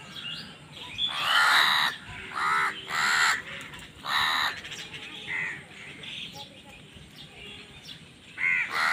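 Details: Crows quarrelling over food, a burst of four loud, grating caws followed by quieter, shorter calls and a final caw after a gap.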